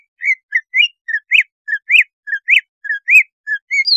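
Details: Lure song of a Greater Green Leafbird, meant to trigger breeding arousal and make the bird fierce: a steady string of short whistled notes, alternating low flat tones with sharply rising and falling upswept ones, about three per second.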